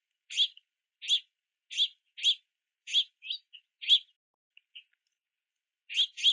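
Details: Harsh begging chirps of juvenile house finches waiting for parents carrying sunflower seeds at a backyard feeder in the rain; evenly spaced single notes about every half second, a brief quiet spell, then a final pair.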